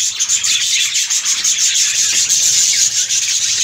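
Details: Budgerigars kept in a breeding colony produce a dense, unbroken stream of high, rasping chirps and warbles from numerous birds.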